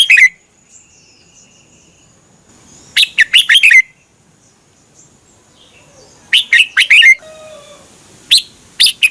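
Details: Singing red-whiskered bulbul, a Thai cage bird, recorded to coach or rouse other bulbuls: repeated brisk phrases of quick, liquid, slurred notes about every three seconds, with quiet twitters in the gaps.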